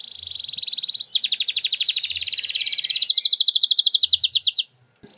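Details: Canary song meant to spur a quiet canary to sing, in the 'nembak' style: a steady high trill shifts into a long, loud, rattling run of rapid pulses lasting over three seconds, ending abruptly. Low rumbling noise in the background.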